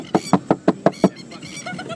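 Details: A Masked Lapwing (spur-tipped plover) in fighting mode gives six loud, harsh, evenly spaced notes in about a second, a rapid rattling 'kek' series, followed by fainter chattering.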